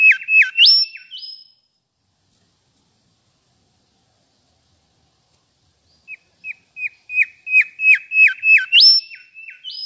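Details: Mangrove whistler chirping sweetly: a brief burst of whistles capped by a rising note, a long silence, then an accelerating run of repeated level-then-falling whistles climbing to a high upswept note.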